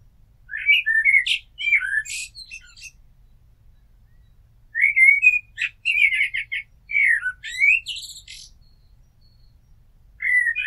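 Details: Repeated blackbird strophes with mellow whistled openings breaking into bursts of high, buzzy twitters, with pauses of a second or two between phrases.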